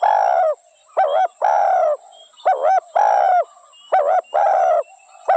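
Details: Spotted dove coos steadily: a short bent note and a longer level coo, repeated about every second. A few faint chirps sit between the phrases.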